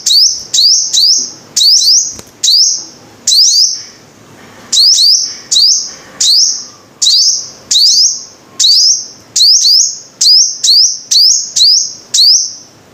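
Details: A long, lively series from a five-coloured sunbird, about twenty shrill notes, each sweeping upward and holding a bright high tone, coming rapidly with one brief pause near the middle, over thirteen seconds.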